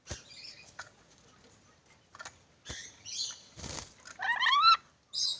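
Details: Black-capped lory calling: scattered scratchy notes and a wing-flap-like rustle, then a louder burst of quick, nasal, warbled notes near the end and a final short squawk.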